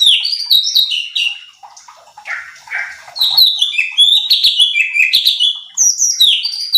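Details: Training lure of a cucak cungkok bulbul for other birds: quick descending whistles, a brief lower, throatier pair of notes, then an energetic run of bright repeated whistles.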